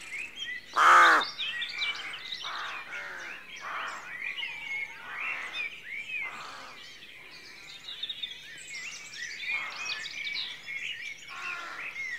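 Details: Dawn at a rookery, where one loud, raspy caw bursts out early, followed by a steady murmur of softer, grating calls from many rooks overlapping throughout.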